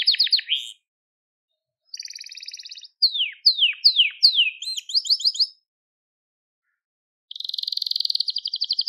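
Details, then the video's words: Crested Gloster canary song phrases separated by silent pauses, for tutoring young canaries: descending sweeps, a soft buzzy trill, a series of down-slurred whistles with an upturn, then a quick high trill. "Muhteşem Tepeli Gloster Kanarya Ötüşü | Gloster Kanarya Sesi"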